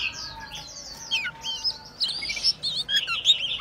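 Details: Oriental magpie-robin singing while showing off its spread tail. The song opens with a soft, drawn-out warble. Louder bright whistles and twisting, rising and falling slurs follow, delivered in lively bursts.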